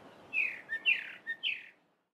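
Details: Cape robin-chat singing in a garden during the dawn chorus on a mid-winter July morning: a short phrase of three bright, slightly descending whistled notes with quick soft chips between them, over a quiet background.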